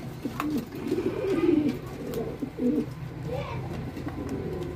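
Archangel pigeons coo in low, throaty, rolling bursts, several phrases close together over a few seconds, against a faint steady background hum.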